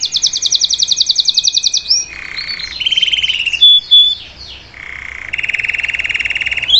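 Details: Salsa canary singing for a young bird to learn, mixing a fast high rattle, low rolled trills, brief whistles and a closing bright buzzy trill.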